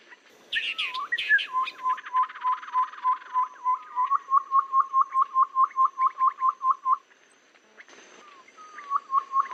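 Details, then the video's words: Babbler lure sound for trapping in rainy or dry weather: opening burst of sharp chirps and a buzzy trill, then a long even series of short repeated notes, a quiet gap, and the notes resuming. "suara pikat burung Tepus kaban"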